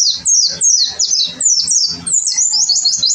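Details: Gacor song of an oriental white-eye, a tutor recording: high descending chirps in quick bursts, roughly three a second, bright and slightly scratchy.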